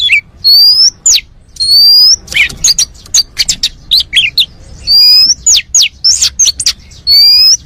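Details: Oriental magpie-robin, a champion bird, singing a full song used to prompt other birds to sing: loud, clear whistled notes with sharp rising sweeps near the top of the range, rapid chirps and trills in bursts, repeated phrases separated by brief pauses.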